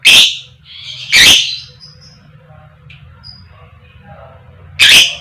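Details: Female lovebird giving the 'koek koek' fighter call, used as a lure to set other lovebirds singing: three loud, harsh, shrill chirps spaced irregularly over a faint low background hum.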